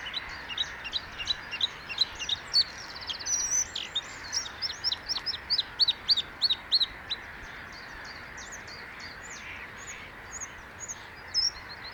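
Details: Bluethroat song: a long, lively stream of varied high chirps, sharp clicks, a brief rattling buzz and repeated whistled notes, delivered rapidly and continuously.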